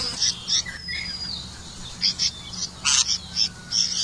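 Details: Red-vented bulbul feeding crickets to its young; scattered high chirps with a thin descending whistle early on, then clusters of bright squeaky notes in short bursts, over faint steady low hum.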